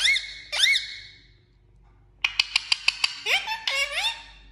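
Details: Talking parrot with two bright squeaks that sweep upward, a quiet gap, then a rapid run of about six clicks leading into longer whistled, rising tones.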